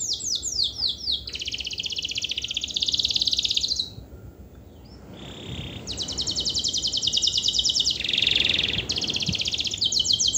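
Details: Canary pouring out a long lure song for lazy canaries: descending whistled sweeps, then sustained fast high trills broken by a short quiet gap before the rattling resumes.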